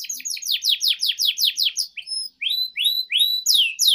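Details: Canary master song for young birds: a fast run of descending sweeps, then slower rising whistled notes repeated about every third of a second.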